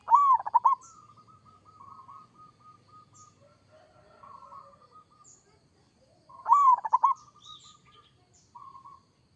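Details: Zebra dove of local stock singing 'kerot' style. A loud quick cooing burst trails off into a long soft run of gentle rolling coos, and the loud burst returns after about six seconds.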